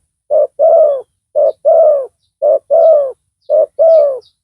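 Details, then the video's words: Spotted dove decoy with a big voice calling to draw in a rival: four even short-long coo pairs at about one per second, clean and low, with only a trace of distant high chirps. "Pikat tekukur tapau Bl suara besar dan penguku.blnya pukul lari."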